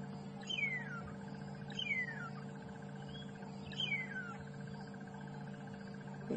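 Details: A woodland kingfisher joining other birds during a morning safari drive on 9 February 2015 gives three high notes, each falling into a fast descending trill, repeated about every one and a half seconds over a steady low engine hum.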